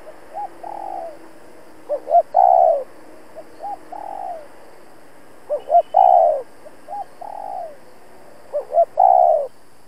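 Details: Spotted dove used as a lure bird, giving insistent challenge cooing toward wild rivals: repeated low phrases of clipped double notes leading into a full, throaty coo, roughly every two and a half seconds, with nothing else heard.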